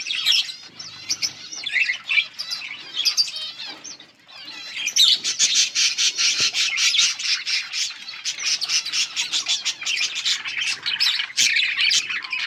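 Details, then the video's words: Yellow budgies chirp and chatter nearly nonstop, a dense stream of high warbling notes, scratchy squawks and rapid clicks, building after a brief pause early on. "Beautiful yellow budgies chirping sounds"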